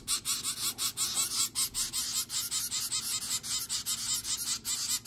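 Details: Hand-fed zebra finch babies, nine days old, in a homemade on-the-go brooder, give a regular stream of raspy, breathy pulses at a steady rhythm.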